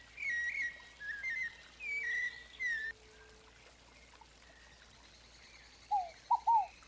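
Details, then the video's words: White-necked thrush (Turdus albicollis), sabiá-coleira, singing in Arapongas, Paraná, Brazil, in the fluted 'flauteado' style: clear whistled phrases with slides, given in short bursts, then a pause and a few lower, slurred whistled notes near the end. "MELHOR CANTO SABIÁ COLEIRA FLAUTEADO, UMA PERFEIÇÃO !!!"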